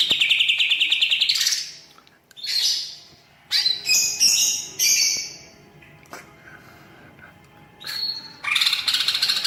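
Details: Greater green leafbird singing loudly, its song filled with imitations of other birds: a rising whistle, then varied high chirps, buzzy notes and short bursts with gaps between phrases.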